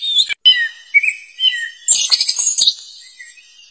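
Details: Short burst from a wild black flycatcher calling loudly to attract opponents: a few clear, downslurred whistles followed by a dense cluster of high, chattering notes.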